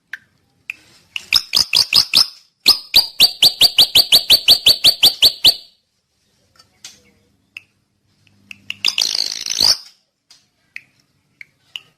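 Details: Drongo pouring out a long, rapid series of clipped whistled notes nearly three per second, pausing briefly midway, followed later by a harsh rasping burst and scattered soft chips.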